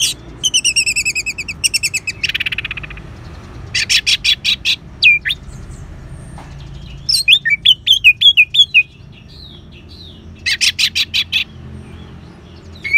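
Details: Orange-headed thrush in the ngeban singing style, used to stir caged birds into song: bursts of rapid stacked chirps and buzzy trills, then a run of sharp whistled upslurs, separated by short pauses.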